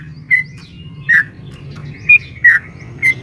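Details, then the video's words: Sooty-headed bulbul female calling a male, long 'ropel panjang' style meant to provoke caged birds: sparse, spaced liquid whistled notes about once a second over noticeable low hum. "SUARA trucukan gacor ROPEL PANJANG pancingan trucukan agar bunyi"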